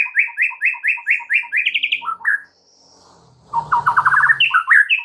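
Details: White-rumped shama singing loudly, used as a lure to stimulate stalled, stressed birds: a fast run of repeated rising whistled notes, then a brief pause and a quicker trill of rising slurred notes.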